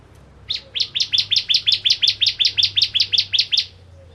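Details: Bar-winged prinia (ciblek kristal) delivering one long, rapid series of about fifteen high, clipped chirps at a steady pace over three seconds, with a faint low hum underneath.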